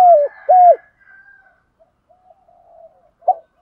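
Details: Spotted dove cooing in the 'thúc gù' style to lure wild doves: two strong hooked coos that drop at the end, then faint, softer coos and a brief closing note.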